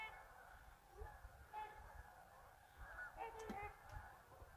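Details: Geese leaving a marsh for an afternoon feed after a mid-day rest, scattered nasal honks rising and falling among a murmur of many birds, with low rumble of wind underneath.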